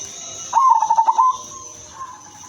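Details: Female silver zebra dove, suited to luring other zebra doves, gives one clear, rapidly stuttering cooing phrase followed by a faint lingering note, with a steady high-pitched hiss in the background.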